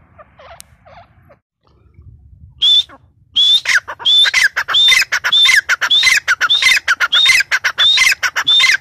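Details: After a few quiet seconds with faint softer notes, a female grey francolin bursts into loud calling: a single high whistle, then a run of quick repeated whistled-and-grating phrases, each slightly under a second long.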